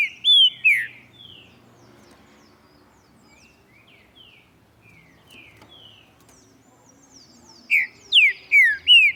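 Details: Green-winged saltator (Saltator similis) singing in the morning, displaying: loud rich whistled phrases of falling slurred notes open the passage, then a quiet gap with faint distant chirps, then a run of four strong descending whistles.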